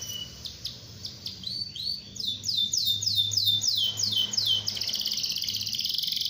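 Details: Canary singing to challenge rivals into song, beginning with sparse notes, then a run of rapid downswept whistled syllables and ending in a dense, harsh rolling trill.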